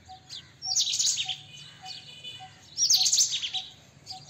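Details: White-throated kingfisher: two drawn-out, harsh, high screeching phrases, each close to half a second, separated by quieter chatter. Soft low pips repeat evenly in the background.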